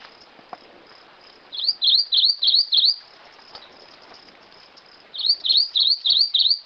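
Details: Rufous-crowned Greenlet song: two bursts of five clear, high, swooping whistled notes, each dipping then rising, about three per second, separated by a short pause over faint background hiss.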